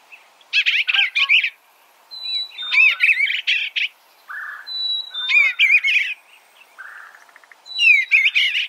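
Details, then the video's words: An Eastern bluebird sings four burbling phrases of rapid slurred notes, spaced about two seconds apart, with thin steady whistles and low muffled notes between phrases. "Suara Burung Eastern Bluebird - Eastern Bluebird Bird Sound"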